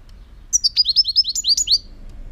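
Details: Song of a European goldfinch, 2018: a quick run of about twelve bright, high twittering notes, each sliding upward, lasting just over a second over a quiet low hum.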